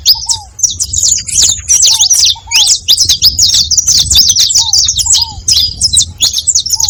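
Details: Several saffron finches calling together: a dense, continuous chatter of high sharp chirps and twitters, overlapping without pause, with a lower slurred downward note repeated now and then in the background.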